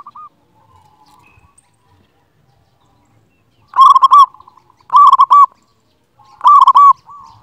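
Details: Loud local zebra dove song, used to stimulate lazy or stressed doves and to lure birds. After soft quiet coos, three strong, rapid, rolling cooing phrases come about a second apart and sound somewhat overdriven.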